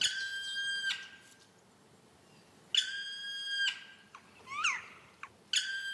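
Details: Black woodpecker (Dryocopus martius) in forest gives strange cries: three long, plaintive, ringing calls about every two and a half seconds, with a few short slurred notes between.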